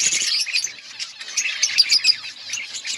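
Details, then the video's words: Budgerigars in an outdoor colony, a short stretch of high, scratchy chattering and thin whistled chirps from a group of birds. "Budgies birds chirping sounds in outdoor colony"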